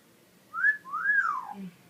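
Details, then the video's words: Talking pet parrot indoors whistling a quick upslurred note and then a long arching whistle that falls steeply, followed by a faint low sound "Birds say the darndest things"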